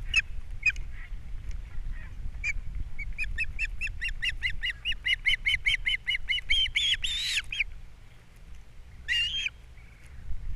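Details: Osprey pair at a Captiva nest on April 3, 2022, male arriving with fish and female feeding chicks: a few chirps build into a fast, regular run of whistled notes about two per second, peaking in harsh calls, then a final burst.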